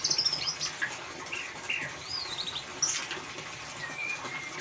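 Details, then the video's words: White-rumped shama, ngeriwik singing meant to provoke a mute bird: high thin whistles, wavering slurred phrases and scattered sharp chips against a faint steady hiss. "Suara Murai Batu Ngeriwik Untuk Pancingan"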